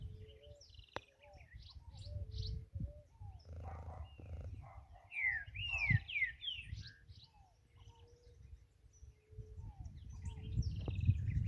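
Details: Green-winged saltator singing free in nature: a short burst of loud, clear whistled notes arching up and down near the middle, amid many other chirping and twittering birds over a steady low background rumble.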